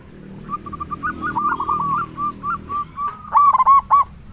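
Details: Zebra dove with a loud voice, calling to make other zebra doves respond: a series of soft, separated wavering coos building to a loud closing burst of fast, fluttering notes.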